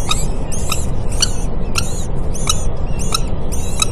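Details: Common kestrel nest in a building at the American University in Cairo, Egypt, the female bringing food to newly hatched chicks: thin high squeaky notes repeated about every half second over steady loud low rushing noise.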